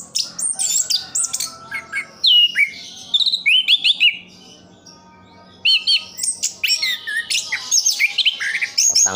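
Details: Caged orange-headed thrush from Sidoarjo, East Java, Indonesia, singing a rich, continuous medley of sharp whistles, rapid chatters and trilled phrases, mostly high-pitched, with a short quiet pause midway before the busy song resumes; faint low hum beneath.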